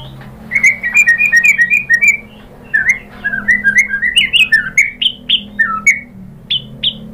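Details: White-rumped shama lure song to get another shama singing: long fluid series of whistled, slurred notes rising and falling in quick runs, with a steady low hum underneath.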